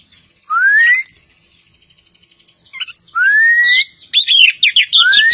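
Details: Javan pied starling, a kacer poci from Java, singing: long clear whistles sliding upward, repeated three times, with bursts of quick sharp chattering and scratchy notes between them.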